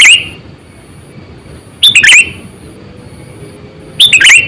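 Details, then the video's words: Lively Sooty-headed bulbul call used to lure wild birds: three short, chattering, bubbly phrases roughly two seconds apart, each a quick burst of tumbling notes, against a soft background hiss and thin high tone. "Suara Burung Kutilang Gacor,100%Suara kutilang Asli"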